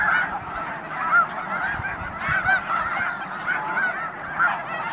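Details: Large gathering of Snow Geese near Conway, Washington, at the Hayton Snow Goose Reserve, giving a continuous babble of high, yelping honks, with single louder barks standing out every second or so above the mass.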